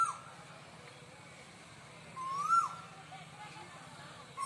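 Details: Single cuckoo call: one mid-pitched slurred whistle that climbs and drops briefly, standing out from steady low background hum, with the start of another call at the very end.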